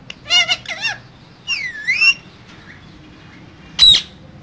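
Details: Two green parrots kept in a cage, talking: a stuttering double squawk, then a drawn-out dipping and rising screech, and after a pause one short sharp shriek, with faint room noise between.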